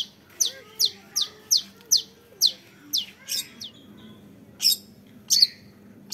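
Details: Young long-tailed shrike: a run of about nine evenly spaced, sharp descending high chips, then a short pause and two louder piercing notes.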